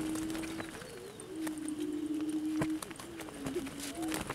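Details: A chorus of wild prairie chickens outside Salina, Kansas, produces sustained low hums and soft swooping hoots that run almost without break, joined by faint higher squeaks and occasional sharp taps.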